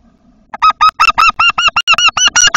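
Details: Eurasian wryneck, a bird that occupies a tit nest box, giving a fast series of about eleven loud, nasal, harmonic notes that repeat evenly, slightly rising, over two seconds, with no other clear sounds.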